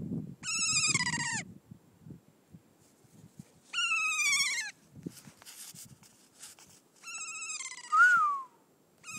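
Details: A New Zealand kea, an alpine parrot, gives three loud, nasal, harmonic-rich calls about three seconds apart, each drawn out and dropping at the end, over a low rumble of wind.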